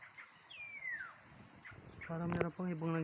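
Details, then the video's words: Loud Black-naped oriole, an unusual bird seen just in front of the recorder, sends out a long clean whistle sliding downward, followed by a man talking over faint outdoor sounds. "Black Naped Oriole grabe kakaibang ibon grabe Ang Huni Ang lakas"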